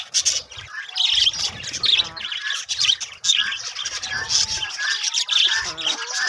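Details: Budgerigars in a parrot breeding colony setup, a dense overlapping chorus of harsh squawks and chattering warbles with rapid high notes throughout.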